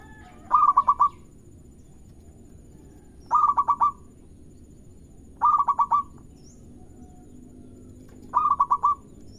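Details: Local zebra dove singing, used as a lure to make rival doves sing: a soft cooing phrase of five or six quick rolling notes, repeated about every two and a half seconds.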